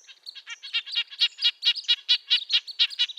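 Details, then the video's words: Red-breasted nuthatch in a quick series of short nasal notes, about two per second and growing louder, with a thin high tone faintly behind. "Red-breasted nuthatch sounds, Sounds of the Canadian Nuthatch"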